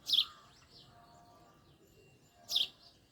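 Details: A male house sparrow gives two sharp, bright chirps about two and a half seconds apart, each brief and slightly buzzy, against a quiet background.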